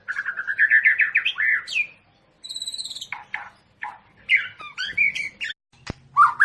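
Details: Long-tailed Medan white-rumped shama being paired for breeding gives rising fluted whistles, a thin very high trill, brief clicks, then more varied whistled phrases, one sharp tap and a closing low whistle.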